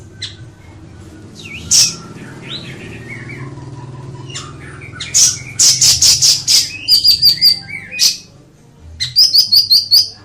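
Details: Ashy tailorbird delivering loud runs of quick, repeated high metallic notes, around eight in a row, then a shorter run, among sharp chips over a low background hum.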